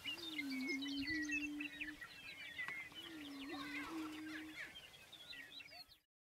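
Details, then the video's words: Prairie chickens booming on a spring lek in central South Dakota's Fort Pierre National Grasslands at dawn. Two low, moaning, slightly quavering boomed notes, each lasting about one and a half to two seconds, sit under dense, busy cackling and whistled calls that fade out near the end. "Prairie Chickens Booming"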